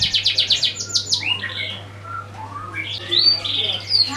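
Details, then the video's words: Canary song used to coax other birds into singing: opens with a quick run of sharp repeated chirps, then slurred whistles and short rising notes, ending in bright high twittering phrases, with a faint low hum underneath. "Suara kenari buat pancingan burung lain"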